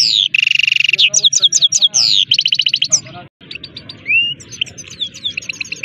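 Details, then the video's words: Himalayan goldfinch (saira) song: a buzzy trill, then sharp descending chirps and fast repeated notes, a brief pause, then scattered twitters and a rising whistle over a low background murmur. "Himalayan Finch Full Sining Saira Singing HD سایرہ کنری مست Goldfinch Singing"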